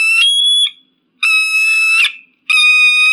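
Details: Shrill eagle scream meant to keep pigeons and crows away: three long, ringing, harmonic whistled cries separated by short pauses, the middle one ending in a slight downward slur.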